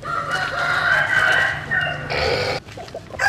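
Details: Early-morning rooster crow among sunning chickens: a sustained, strident crow lasting over two seconds, then a second overlapping crow starts, followed by a brief gap and a fresh burst.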